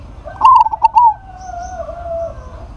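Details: Calling zebra dove, local type, summoning a rival: a quick run of low, rounded coo notes with sharp clicky starts, followed by a long thin steady whistle that slowly falls in pitch, possibly another bird.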